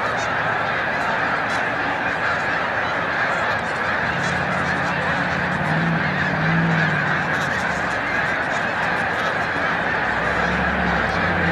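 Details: Snow geese massed at Montezuma, New York, on 7 March 2022 as migration approaches its peak, flushing into flight; a long, roaring carpet of honks, busy and continuous, with some low rumbling in the middle.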